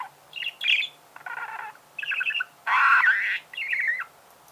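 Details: Budgerigar song in short bursts: chirps, buzzy grating notes and a loud scratchy chatter, each phrase split by brief silences.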